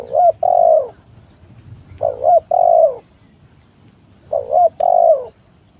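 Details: Lure song of a spotted dove, played to challenge rivals and prompt reluctant doves to sing: three phrases, each two clipped coos leading into a drawn-out, falling coo, with quiet pauses between.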